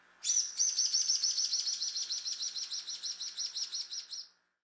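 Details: Social Flycatcher in a city in Brazil giving a fast, steady series of high, scratchy chattering notes lasting about four seconds.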